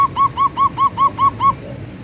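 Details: Zebra dove (perkutut) singing in the manggung style: a series of eight soft, low, rounded cooing notes, evenly spaced about every fifth of a second, over a faint low background hum.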